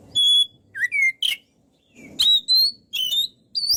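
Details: Sparse high whistles from a kacer (Oriental magpie-robin) in gacor singing: long steady whistled notes, short downslurs and rising slurs, spaced by brief gaps with soft background rustle.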